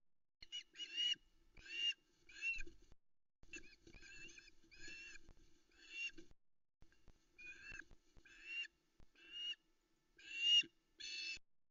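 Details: Waiting on the Loch Arkaig nest for her mate to bring fish, a female osprey gives repeated harsh whistled squeals roughly every second, on a misty August dawn in 2020, with faint knocks between calls.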